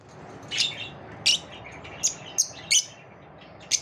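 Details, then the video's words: Lovebirds in a competitive moment, giving short sharp high chirps in separate bursts roughly every half second to second, with quiet gaps between. "Love birds also have competitive moments"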